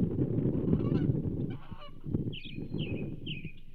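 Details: Osprey at the Charlo nest, 27 April 2024, during the delivery of a whole whitefish to the banded female. Three clear, high, slurred chirps close the passage after a stretch of heavy low rumble from wind and movement.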